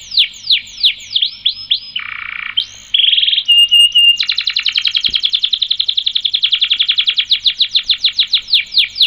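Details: Long rolling canary song for training other birds: descending slurred whistles, a low buzzy section, a rising sweep, a short trill and held tone, then a long rapid run of repeated notes lasting several seconds.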